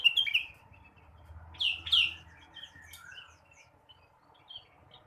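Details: Blue-winged leafbird morning song meant to stimulate other birds: a few loud, sharp downslurred chirps early on, then softer scattered twittering notes fading toward the end.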